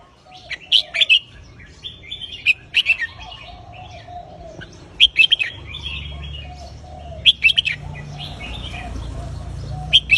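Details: Red-whiskered bulbul singing in the counted-phrase style: short bright whistled phrases with sharp rising notes, repeated roughly every two to three seconds, over a soft lower wavering whistle and a faint background hum.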